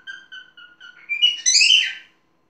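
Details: Pet parrot indoors giving a few short level whistles, then a rising, squawky, warbled phrase that ends abruptly.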